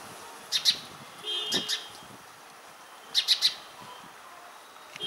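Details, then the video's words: Passer domesticus indicus, the house sparrow common around Indian settlements, chirping in two short clusters of two and three notes separated by a quieter stretch with faint background sounds. "Sounds of Indian Sparrow for Relaxation"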